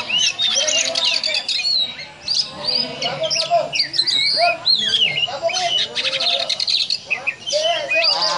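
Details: Oriental magpie-robin delivering a dense ngobra-style song, said to resemble a cobra: rapid varied whistles, slurred rising and falling notes and scratchy trills in continuous loud phrases, with faint lower tonal sounds behind.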